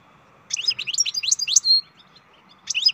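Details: Captive-bred European goldfinch singing: a burst of quick high twittering notes with a long thin whistle, a pause, then the twitter starting again.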